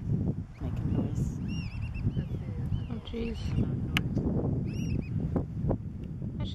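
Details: Black oystercatcher family with chicks at Hopkins Beach, Pacific Grove, near harbor seals: scattered arched whistled notes, some in short pairs and triplets, under steady wind noise with a brief low tonal sound midway.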